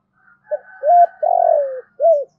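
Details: Caged decoy spotted dove cooing to lure wild doves: a short soft note, a rising coo, a long pulsed, slightly falling coo, then a short arched final note, all low and mellow.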